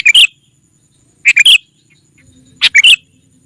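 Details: Repeated lure phrases from a sooty-headed bulbul aimed at wild rivals: three clusters of quick, liquid two- and three-note chirps, each cluster about 1.2 seconds apart.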